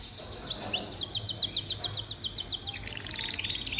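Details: Canary singing as a tutor for young or quiet birds: a soft swooping note, then a fast even series of sharp high ticks forming a trill, changing into a rapid buzzy roll, fairly quiet overall.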